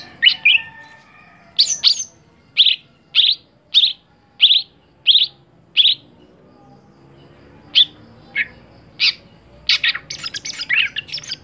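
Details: Greater green leafbird song from a caged contest bird: a series of short, evenly spaced bright chirps, a pause, then a dense burst of mixed high notes.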